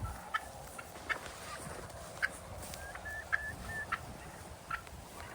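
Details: Wild turkeys in a backyard as rain begins, feeding on grasshoppers, give short, clipped clucks and soft mid-pitched notes, about one or two a second, over a steady background hiss.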